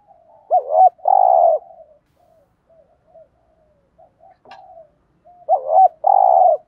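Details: Spotted dove, kept as a decoy, gives two loud phrases of a wavering note leading into a sustained coo, separated by several seconds of very soft low murmuring.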